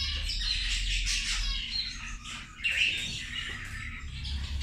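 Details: Feeding zebra finches at lunchtime: quieter, crowded nasal chirps and squeaks blending into a continuous chatter, one clearer call near the middle, over a noticeable low hum.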